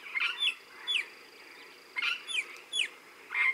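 Regent parrot giving harsh, scratchy chirps in quick bursts of two or three notes, repeated about every second, over a faint background hiss.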